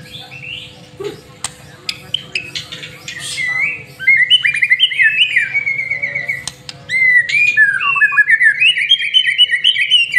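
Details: Energetic white-rumped shama song used as a lure to set other birds singing: scattered clicks and short notes, then long rich warbled whistles and wavering sweeps, with a low constant electrical hum behind.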